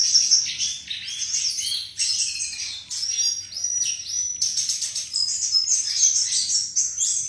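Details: Melodious flycatcher song: energetic high chattering phrases of chirps, whistles and buzzy trills, broken into bursts by brief pauses, with a soft low hum beneath.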